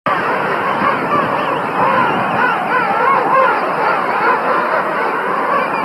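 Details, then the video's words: A dense colony chorus of king penguins: many overlapping warbling, trumpet-like calls wavering up and down in pitch, with a steady wash of crowd noise. "king penguin sounds"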